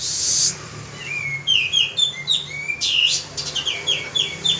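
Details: Male pied triller lure song in full voice: an opening hiss, then quick sequences of crisp, downward-sliding whistled notes, one more rough burst midway.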